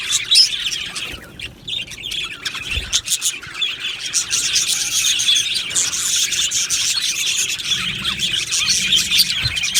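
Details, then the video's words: Aviary colony of budgies keeps up a steady high twittering wash, broken by a soft dull thump near the third second and faint low rumble later on. "Budgie Sounds for lonely Budgies | Happy Budgies Birds Sounds"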